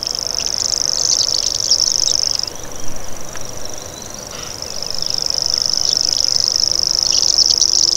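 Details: Common grasshopper warbler reeling in two bursts: a high, dry, continuous buzz for over two seconds, a pause of about two seconds, then the same insect-like reel resuming and running to the end.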